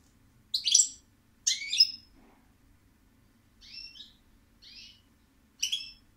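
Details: European goldfinch singing in short separate phrases of tinkling, buzzy twitters, some louder and some softer, spaced about a second apart against a quiet background.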